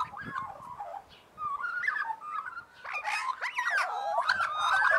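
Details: A chorus of Australian magpies warbles in harmony. Mellow fluting phrases build into loud rising and falling swooping whistles, layered with overlapping voices in the final seconds.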